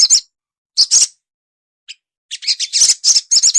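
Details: Crimson sunbird, an untrained cage bird, uttering sharp high chirps in clustered bursts separated by short silences, the final second packed with quick scratchy notes.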